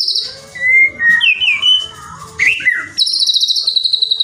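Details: White-rumped shama song meant to provoke rival shamas: rich slurred whistles rising and falling, a brief squeaky phrase, then a fast high stuttering trill, over low background noise.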